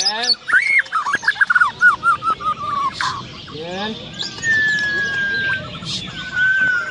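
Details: White-rumped shama competing at a songbird contest in Landak on 15 October 2017. It gives a quick run of loud, rich whistled notes, then long level whistles, amid crowd chatter and other singing birds.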